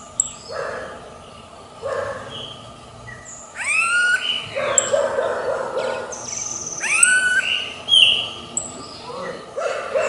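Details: A wild smooth-billed ani gives whining, sharply upslurred whistles, two strong ones about three seconds apart, among softer chattering calls from other birds.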